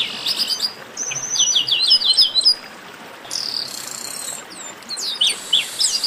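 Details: A "baderna" chorus of chestnut-capped blackbirds, used to stir kept birds into song: a long whistle and choppy trilled phrases, then a steady hissing stretch before scattered downslurred notes return.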